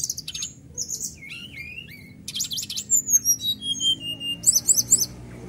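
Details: Caged magpie-robin singing persistently, used to prompt other caged birds to sing: a rapid jumble of high whistles, sliding notes, buzzy bursts and fast rattled trills, with a low hum underneath.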